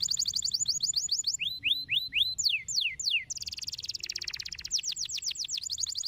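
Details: Canaries' stimulating song: quick run of high slurred notes, a few slower deeper swooping whistles, then a dense buzzy trill followed by renewed rapid chirping.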